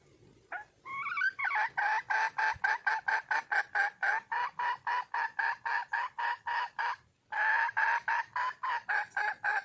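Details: Wild red junglefowl hen calling to find a male, giving a long fast run of harsh clucking notes, about four per second, after a brief rising start, with a short pause near the end.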